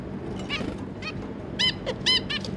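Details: Zebra finches, a pair with three juvenile offspring, 25 July 2022: several nasal trumpet-like calls in quick succession, the loudest two close together near the end, over low background hum.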